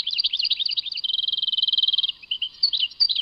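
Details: European goldfinch song linked to Tadmait: fast twittering notes high in pitch, then a second-long run of quick, evenly repeated buzzy notes, ending in scattered chirps and a slurred note. The background is quiet.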